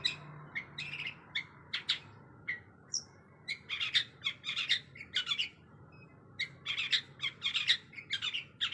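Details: Caged long-tailed shrike in a kept-bird compilation, delivering bursts of scratchy, chattering notes in clusters separated by short pauses, with a dense run of rapid harsh phrases toward the end.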